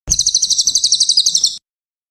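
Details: Cililin recorded as master audio for teaching songbirds: a rapid, even trill of roughly fifteen sharp, high, buzzy pulses over about one and a half seconds, ending abruptly.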